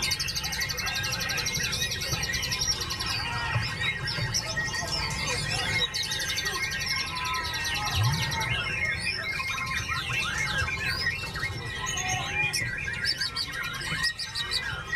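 A white-rumped shama sings a rich, fast stream of varied whistles, trills and chattering phrases.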